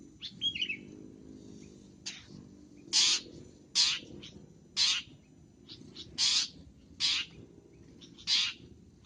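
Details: Long-tailed shrike, actively singing in a masteran recording: a brief twittering start, then about eight harsh, buzzy chattering notes at irregular intervals over a constant low hum.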